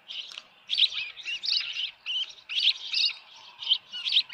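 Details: Osprey at its nest at Dunrovin Ranch, 10 June 2018, with a headless fish: short bursts of thin whistled chirps and squeaks, grouped irregularly over a few seconds.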